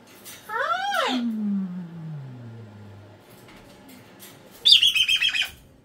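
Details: Pet cockatoo indoors during a screaming meltdown that gives way to whispering: a rising-falling harmonic squawk, a long low sliding tone fading away, then a burst of harsh rapid pulsed screeches near the end.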